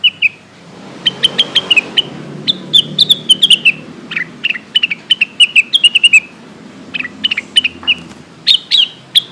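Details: Lesser green leafbird lure call for calling companions: lively repeated bursts of sharp, high whistled chirps, often dropping in pitch at the end of each phrase, with brief pauses and a faint low background hum.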